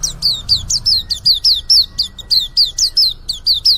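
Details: Fast, continuous string of piercing high chirps from a young white-eye beginning to sing, each note falling in pitch, delivered about four times per second over a quiet background.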